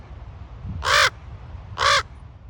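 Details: Raven calling at Ocean Beach, San Francisco: two loud, hoarse caws about a second apart, coarse and croaking, with a low steady rumble of surf or wind behind.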